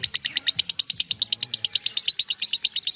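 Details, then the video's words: Lovebird singing ngekek, a continuous song of over a minute: steady machine-gun run of bright, piercing chips at about eight per second, softening slightly toward the end, faint low tones beneath. "LOVEBIRD NGEKEK 1 MENIT LEBIH"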